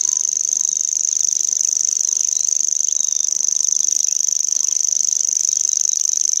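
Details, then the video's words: Unbroken high-pitched reeling song of a common grasshopper warbler, a rapid, even mechanical trill like a cricket or a spinning fishing reel, steady in loudness throughout with a quiet background. "Grasshopper Warbler - Burung atau Belalang ?"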